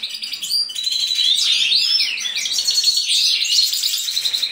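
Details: Mutation European goldfinch in mating, singing a loud, continuous, fast tinkling song of liquid chirps, trills and slurred whistled notes with no pauses.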